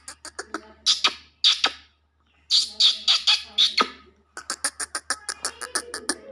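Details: Black francolin call in the Sindhi gutkari bachkari style, used to excite francolins: harsh, rasping squawks in short bursts, a pause, a run of loud grating notes, then a quick series of dry clicking notes.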